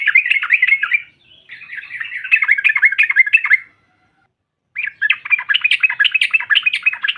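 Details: Female yellow-vented bulbul in continuous scratchy, rollicking chatter, broken by a silent gap of about a second before resuming; sung to provoke rival birds.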